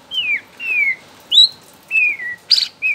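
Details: Bornean white-rumped shama, young and wild-caught from forest, singing to prompt other shamas: a series of clear falling whistles spaced about half a second apart, with one sharp burst near the end.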